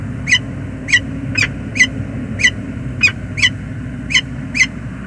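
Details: A male peregrine falcon on a USA river bridge, calling as it arrives in the morning on 19 November 2021. Nine rasping, ringing notes come at roughly half-second intervals, with steady low hum behind them.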